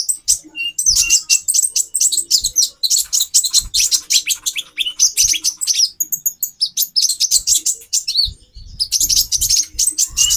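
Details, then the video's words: Female konin, a caged sunbird, calling to arouse the male's mating drive; dense, very high, rapid chirps and thin twitters run almost continuously in quick bursts, with faint low thumps beneath. "Burung Konin Betina 4x terapi birahi. menaikan birahi jantan"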